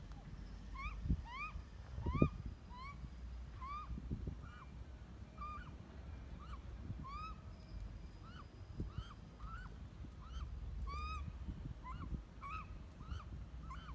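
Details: A baby Australian magpie being fed by its parent gives a steady run of short, rising, nasal squawks, several each second, over a low rumble of wind.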